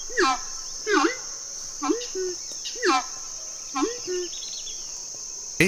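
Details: A horned screamer (arauco) in Orinoquía wetlands and savannas gives loud, hoarse, honking notes, each bending up then down, about once a second, over a steady high insect drone.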